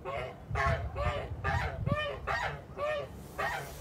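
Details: Farm Kholmogory geese in late March 2021 honk steadily, about seven harsh, trumpeting notes in under four seconds, each a short nasal blare with rich overtones, a low hum of farmyard noise beneath.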